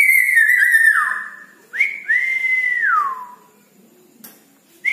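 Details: Red-breasted parakeet calling at night, giving long, clear whistles that hold steady and then slide down in pitch, with brief pauses between phrases, in a quiet room.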